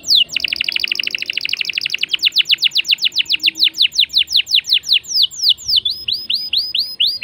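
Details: Canary in vigorous song to spur other birds: opening downward note, a dense buzzy trill, then a long run of sharp falling whistles, ending in quicker high twittering notes.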